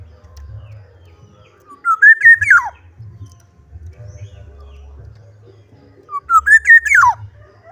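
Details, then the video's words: Black-naped oriole in vigorous song, giving two fluting whistled phrases about four seconds apart. Each rises, warbles briefly and ends in a quick falling slur. A faint low hum runs underneath. "kepodang gacor"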